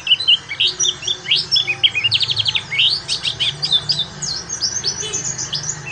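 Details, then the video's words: Oriental white-eye song used to trigger other birds and teach ngalas: varied high chirps, whistles and rapid chattering phrases, heard against a noticeable hissy background. "PEMANCING PLECI BAHAN UNTUK BELAJAR NGALAS"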